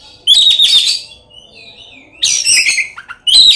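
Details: Caged Oriental magpie-robin singing as a lure for rival birds; a loud buzzy burst, a soft wavering whistle, then two more loud harsh bursts of mixed notes.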